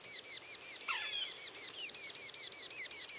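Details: Young Yellow-bellied Sapsuckers keep up a rapid, shrill "peep series" of high, down-slurred peeps, with one lower, drawn-out mew from an adult, the standard sapsucker call. The young are fed about 15 seconds in, then quieten while still calling and gulping.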